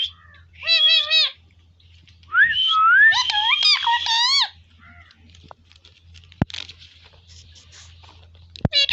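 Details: Indian ringneck parrot kept in a village, talking: a short nasal, harmonic phrase, then a longer wavering, warbled run of speech-like syllables lasting about two seconds, followed by quiet with a few sharp clicks.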